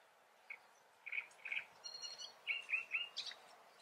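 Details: Great reed warbler in the Eifel, Germany, giving a rough, chattering song of short croaky notes in uneven groups, with a few higher squeaky notes mixed in over faint background hiss.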